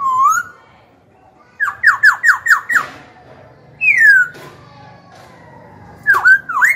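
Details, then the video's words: Caged young black-throated laughingthrush, song for provoking rivals and training young birds: a mellow rising whistle, five quick down-slurred notes, a long falling whistle, then two hooked notes over faint hum. "Khiếu hót hay kích bổi đấu, luyện giọng bổi, chim non."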